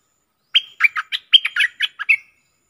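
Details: Contest bulbul recorded 24 October 2021 gives one lively phrase of about eight crisp whistled chirps, each note dropping quickly in pitch, with no other sound around it.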